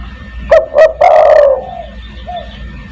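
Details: Spotted dove in a lure recording of the 'kuk 1' cooing style, used to call other doves: two short punchy notes, then one long, slightly falling coo, with a faint quieter note afterwards over low background hum.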